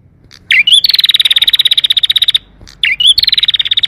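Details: Canary singing a long rolling song with an ornate, clear voice, meant to prompt lazy canaries to sing: a quick rising twisted note leads into a long rapid high trill, then the same pattern starts again.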